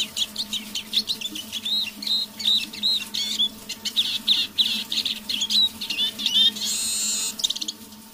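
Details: Evening half-voiced song of a caged decoy Eurasian siskin: a fast run of high twittering and whistled notes, ending in a drawn-out wheezy buzz, over a faint indoor hum.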